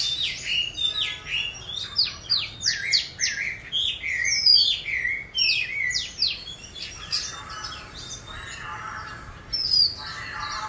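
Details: Juvenile Oriental magpie-robin practising its song, a busy stream of quick chirps, downslurred whistles and buzzy fragments, loud at first, then softer and scratchier toward the end.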